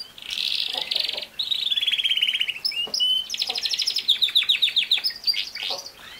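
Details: Canary song played to a young male canary kept alone in his own cage, away from his parents, so he copies it and begins singing: buzzy rolled trills, a long descending trill, then fast repeated sweeping notes.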